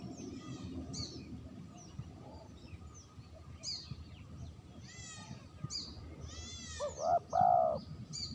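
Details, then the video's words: Spotted dove lure recording with mostly small songbirds chirping and trilling at first. Near the end comes a single loud dove coo, a brief note followed by a longer drawn-out one. "suara terkukur pikat bersih"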